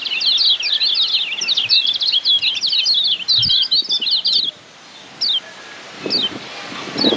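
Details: Lombok white-eye (pleci Lombok, kecial kuning) giving a Padangan tutor song for caged birds: over four seconds of hurried high-pitched twittering and chirped whistles, then silence broken by spaced single sharp notes.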